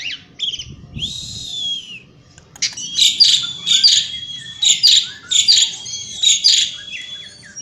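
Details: Asian pied starling singing outdoors, a long rising whistled note followed by a run of harsh, buzzy, repeated bursts with sharp high squeaks, delivered in a continuous rolling sequence.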